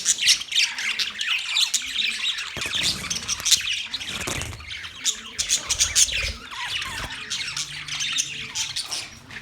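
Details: Chirping budgies fill the air with a constant, crowded twitter of high scratchy notes and squawks, with some low rumbling noise midway.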